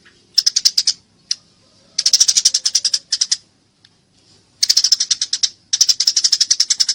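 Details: Fighting Eurasian tree sparrow, a clear recording meant for training songbirds: fast strings of shrill, buzzy chirps in several bursts, a single isolated chip, and a quiet gap near the middle.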